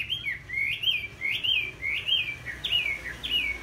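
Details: Red-whiskered bulbul delivering repeated bright, bouncy whistled phrases, each rising and then dropping, about one phrase every half second with a steady rhythm over light background hum.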